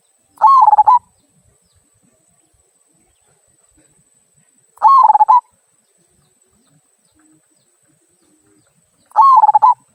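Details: Zebra dove of the local type repeating its "kung" song, used for prompting other birds: three short rolling coo phrases roughly every four and a half seconds, steady and regular, otherwise near silence.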